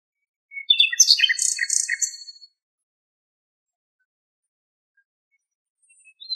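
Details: Nightingale in Greek nature, filmed from far away, delivers a two-second phrase of rapid, jumbled high notes and pulsed trills. A long quiet pause follows, then a faint new note begins.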